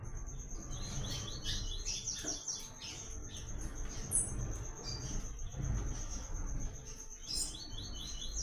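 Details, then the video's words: Double-collared seedeater (papa-capim, coleiro) in the Tui Tui song style used for song training, with short trilled phrases repeated over a steady high whine and low rumbling background noise. "PAPA CAPIM CANTANDO MUITO"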